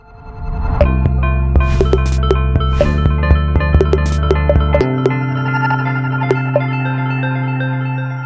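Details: Plucked string music with a steady beat fills the recording, and no animal sound is heard.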